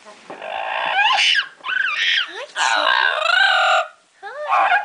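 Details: A female double yellow-headed amazon parrot, excited while playing in her favourite hiding place, an open cabinet, says "hello" and chatters in harsh, voice-like bursts with rising and falling whoops, three or four phrases over five seconds.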